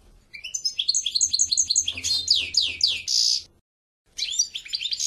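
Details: European goldfinch song: a long rapid series of liquid, tinkling notes repeated several times a second, building into sweeping slurred notes and a harsh buzzy burst, then resuming after a brief silence.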